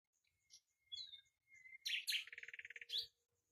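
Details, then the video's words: A Common nightingale song phrase opens with a long, steady pure whistle, jumps to an explosive burst, then settles into a fast, even, throbbing trill repeated about a dozen times before stopping. "بلبل هزار دستان آواز"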